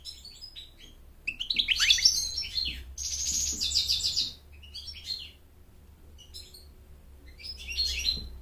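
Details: Song of an American goldfinch, given to attract a mate and instruct chicks: twittering phrases with a buzzy rolling trill, then sparse high chirps over a low steady hum.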